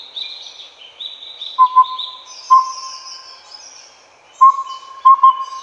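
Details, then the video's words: Collared Owlet (Glaucidium brodiei pardalotum), the subspecies endemic to Taiwan, giving soft, mellow whistled toots on one low pitch in short groups of one to three, over a steady high insect buzz. "鵂鶹(領鵂鶹)/Collared Owlet"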